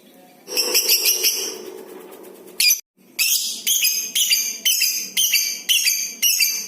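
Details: Tutor-recording lovebird heard for prompting other lovebirds to chatter: a shrill, jittery rattle, a brief silence, then about seven sharp squeaky bursts repeated nearly twice a second.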